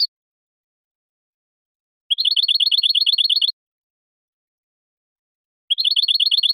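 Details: Goldfinch song recorded clean for educating juveniles and contests: two bursts of very rapid, evenly repeated high trilled notes, each about one and a half seconds long, separated by silence.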